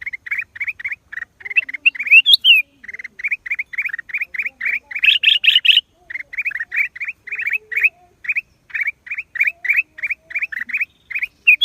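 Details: Black-crested bulbul giving a long run of quick, clipped chirps, steady and evenly spaced, briefly broken by higher, harsher squeaks around the middle; no other clear sounds.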